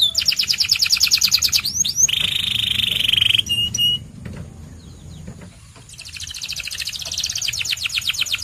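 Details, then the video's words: White canary song: a fast trill, a buzzy rolling tour, a short whistle, then a quieter pause before another long rapid trill of repeated strokes. "The Best White Canary's Singing"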